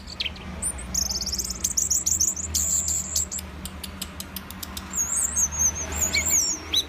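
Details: Orange-headed thrush song: a fast, high trill of repeated notes, then sharp clicks and a wavering, warbled whistle near the end, over a low steady background hum.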